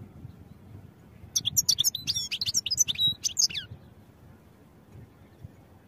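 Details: High, rapid twittering from a European goldfinch, a song meant for training, lasting around two seconds with crisp chirps and short slurred notes, framed by silence and faint low hum.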